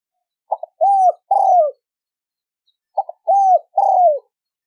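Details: Spotted dove cooing in the thổ sấm đồng style, used as a lure to draw males and females: two phrases about 2.5 seconds apart, each a short stuttered note followed by two long, low, slightly falling coos, against a quiet background.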